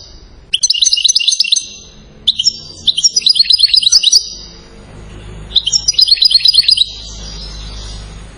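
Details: European goldfinch singing in three bursts of fast, tinkling, high twittering trills, each lasting one to one and a half seconds with short pauses between, over a low steady background hum.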